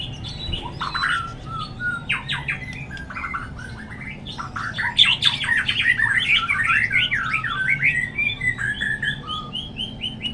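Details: White-rumped shama song, used as a lure to make other shamas sing readily: scattered whistles and short notes build into a dense, jumbled run of varied chirps and slurs. A steady hum and noise sit in the background.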